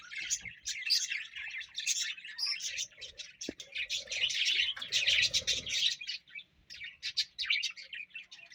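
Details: A single pet parrot chattering in a continuous stream of dense, high, scratchy chirps and tweets. Loudness rises and falls in bursts with hardly a pause, and a brief lower tone sounds midway.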